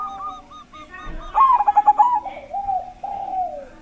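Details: Big-voiced zebra dove (perkutut) singing as a lure to prompt other doves, notably stalled ones, to sing; a row of soft coos, then a rapid pulsed trill and drawn-out falling coos.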